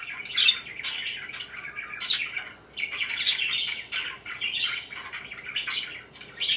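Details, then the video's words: Several parakeets give bursts of scratchy chirps and short squawks, rising and falling in loudness every second or so over a steady background of softer twittering. "BEAUTIFUL CHIRPING NOISES"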